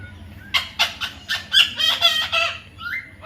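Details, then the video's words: Baby parrot calling in a rapid, uneven series of harsh, harmonic squawks and chirps, several per second, with one short rising whistle near the end; faint background hum. "natural funny parrot sounds"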